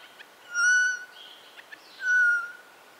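Eurasian jay giving two clear, pure whistled notes, each about half a second long and nearly level in pitch, spaced roughly one and a half seconds apart.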